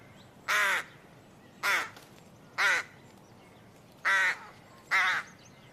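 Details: Bird calling with five loud, grating caws in quick succession, roughly one per second, each rough and nasal over a faint steady background.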